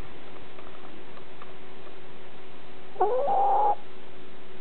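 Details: Chickens recorded close up: after steady background rustle and hum, a single drawn-out tonal call that jumps up then holds level for under a second.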